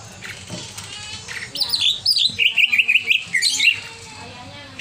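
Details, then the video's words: Greater green leafbird in over-emotional song: after a quiet start, a fast run of wavering, trilled whistles that dip and rise in a zigzag, about three notes per second. "CIRI CUCAK IJO OVER EMOSI"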